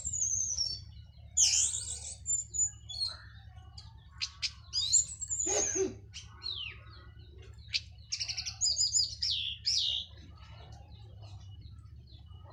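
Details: Teler song of a local Cililin orange-headed thrush after moult, full and loud: long stream of varied whistles, steep slurred sweeps and short chirps with brief pauses, a constant low droning hum underneath.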